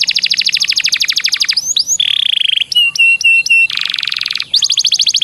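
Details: Master song of a canary, liked by contest judges: rapid trills, slurred chips, a steady buzzy roll, short repeated whistled notes, a dense low trill and a fast closing rattle.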